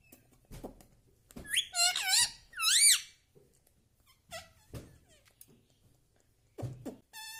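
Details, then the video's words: Pet parrot at home that talks, saying mummy, papa and radhe radhe; three shrill, wavy, upward-curving syllables in a quick burst, followed by quieter clicks, knocks and a short high note. "parrot talking mummy ||papa bolne vala Mithu ||radhe vala Mithu"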